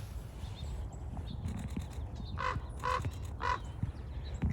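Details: Two common ravens croak on a very cold January 9, 2021 morning at Nalle Bunny Run Wildlife Preserve, central Texas: three hoarse, mid-pitched croaks about half a second apart over low wind rumble, pine siskins in background.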